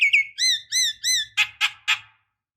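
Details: Lure call of a female Javan myna calling a male: three drawn, arched whistles in steady rhythm, then three short harsh squawks about a quarter-second apart.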